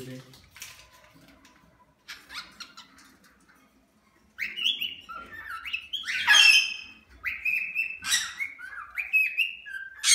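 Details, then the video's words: Captive cockatiels in an aviary give loud, rising whistled calls and harsh squawks one after another after a quiet opening with faint chirps. Several calls overlap in a busy chorus. "Cockatiel Aviary"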